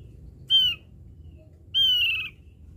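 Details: Lure song of a Javan grey-throated white-eye, two pure whistles with a falling tail, the second longer and drawn out, separated by just over a second, with faint low background hum.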